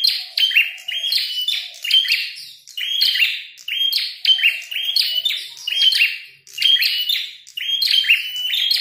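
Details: Red-headed prinia described as fighting and singing loudly, giving repeated bursts of buzzy, chirping high notes in quick clusters, each burst lasting about a second with short gaps between, over a quiet background.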